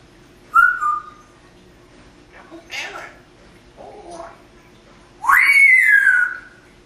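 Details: Female pet parrot in Las Vegas, Nevada, sitting in a window, talks, whistles and makes sound effects. A short level whistle is followed by soft murmured sounds, then a loud whistle that rises steeply and slides back down.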